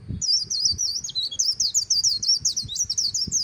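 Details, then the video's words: A white-eye sings its líu song along the Kỳ Cùng river, an unbroken, fast cascade of shrill, sweet twittering notes at very high pitch, with faint low background noise. "VÀNH KHUYÊN HÓT LÍU/ 10 PHÚT CHIM VÀNH KHUYÊN LÍU BÊN BỜ SÔNG KỲ CÙNG RẤT HAY/ KÍCH KHUYÊN LÍU CHOÈ"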